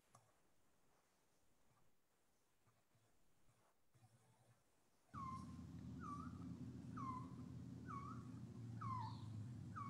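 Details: Resplendent quetzal, resident in Honduran cloud forests on mountain tops, singing softly at a distance: after a quiet start, a string of mellow, slurred whistles about a second apart, over a steady low hum.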